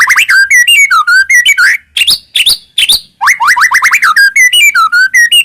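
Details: White-rumped shama song played to prompt other shamas to sing: loud fluid whistled phrases sliding up and down, interspersed with sharp high notes and a pair of brief pauses.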